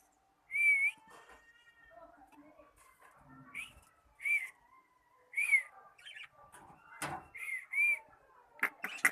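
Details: Cockatiel practising its song while learning to sing: a clear opening whistle, then a quiet stretch, then paired bright whistled notes that repeat irregularly, mixed with a few sharp clicks and taps near the end.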